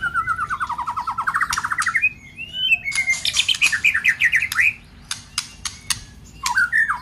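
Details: White-rumped shama with harsh 'tạch' song, a rousing recording for an unmotivated shama; opens with a rapid rising trill, then buzzy warbles, scattered sharp clicks and a final slurred phrase.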